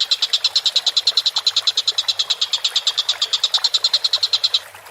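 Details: Energetic collared kingfisher calls meant for training songbirds: a dense, machine-like train of short scratchy notes, near nine per second, running steadily for over four seconds before cutting off abruptly.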